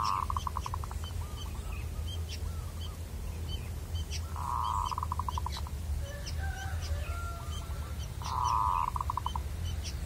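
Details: Wild local zebra dove during luring, delivering strong cooing phrases that open with a long held note and break into a fast stutter, among scattered high chirps of other birds and low rumble.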